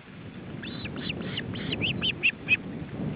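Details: Male osprey with his chicks at the nest during a feeding attempt, July 2012, Estonia: a run of short high chirping whistles, quickening and louder toward the end, over a steady low rumble of wind.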